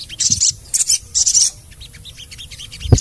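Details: ['Sogon, the ruby-cheeked sunbird, in a training recording: three loud bursts of shrill high chirping, then softer quick tseet notes in a run, ending with a thump.']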